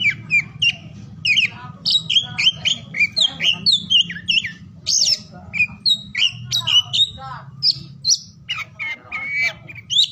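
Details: Oriental magpie-robin in full song, morning to afternoon, to spur quiet birds into singing: a dense, continuous stream of sharp whistled and chirped notes, constantly varied, with a low rumbling hum beneath.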